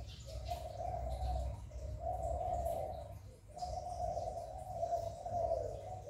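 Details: Spotted dove in the 'hạp bổi' voice style, used to urge newly kept doves to coo. Long, soft, muffled coo phrases run almost continuously, with a low rumble and hiss underneath.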